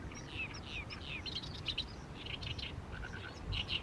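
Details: In a fallow paddy field in mid-May, an Oriental reed warbler keeps singing under the setting sun: scratchy, chattering phrases of harsh repeated syllables, fairly distant, over low background hum.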